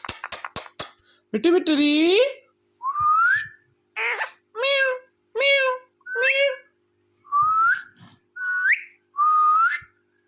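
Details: A pet talking rose-ringed (ringneck) parakeet opens with a few sharp clicks, then gives a run of short, nasal talk-like phrases, meows and upward-sliding whistles, about one each second.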